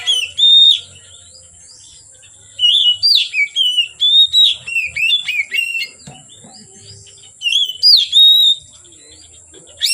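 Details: Oriental magpie-robin singing from afternoon until dark: rich, rapid run of varied whistles, slurred up and down, in bursts separated by short pauses; constant high hiss in the background.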